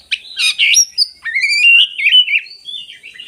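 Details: Oriental magpie-robin song meant to stir silent magpie-robins: a harsh scratchy burst, then clear, sweet whistled notes sliding upward and a wavering, warbled phrase.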